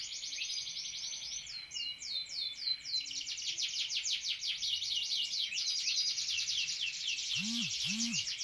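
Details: Canary song, a fast, unbroken run of high trills and rolling chirps with a brief series of sweeping whistles, ending with a few faint low sounds in the background.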